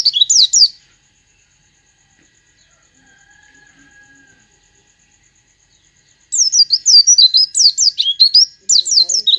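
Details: Oriental white-eye song copying a sooty-headed bulbul: a short burst of high twittering, several seconds of near silence with a faint steady tone, then another rapid run of thin slurred whistles.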